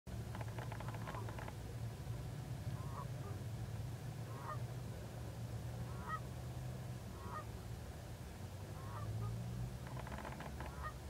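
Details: Canada geese taking off at dusk, recorded from inside a car: a series of short nasal honks roughly every one to one and a half seconds over a heavy, steady low engine rumble.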